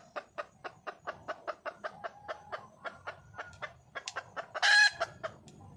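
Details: Wild red junglefowl hen calling for a male: rapid, evenly spaced clucks about four per second, rising into a brief loud harsh squawk near the end, then a few more clucks over a faint low hum.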